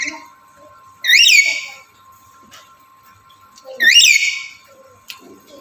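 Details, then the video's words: Male black-capped lory in breeding condition calling to a female, giving two strident, rising-then-falling whistled shrieks about three seconds apart, over a constant low electrical hum. "Burung Nuri Jantan Birahi Memanggil Betina"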